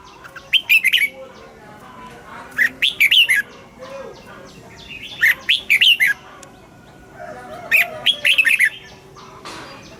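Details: Caged red-whiskered bulbul singing its morning song with wild-type double notes, used to train other caged birds: loud bursts of rich, warbling whistled phrases roughly every two to three seconds, with quieter background chirps between.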